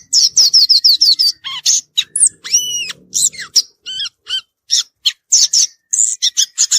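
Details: A violaceous euphonia sings in nature, delivering a dense jumble of high rapid chips, squeaky rising whistles and buzzy twittering phrases with almost no pauses between notes.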